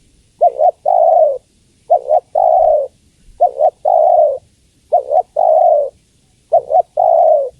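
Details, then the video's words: Calling female spotted dove summoning the male, repeating a soft, low coo phrase of two short notes followed by a long drawn note, evenly spaced about every one and a half seconds. "Suara Tekukur Betina Memanggil Jantan"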